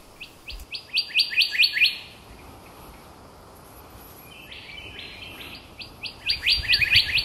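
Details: Golden whistler of the Lord Howe Island subspecies, heard on a hike to the north of the island: bright, sharp, quickly repeated notes in a burst, a quieter patch, then another fast series. Background is otherwise quiet.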